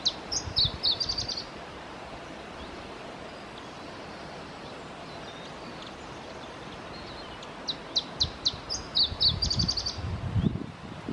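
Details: Singing male Iberian chiffchaff recorded at Testelt, Belgium, on 7 May 2017: two high phrases of sharp, spaced notes speeding into a quick trill at the end, over low wind rumble.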